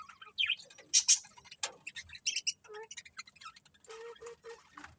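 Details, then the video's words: Pet budgies chirping. Quick, busy chatter of warbled squeaks, clicks and short rising whistles, with a few low nasal notes repeated near the end. Fairly quiet, with several birds possibly overlapping. "Beautiful Budgies Chirping Sounds"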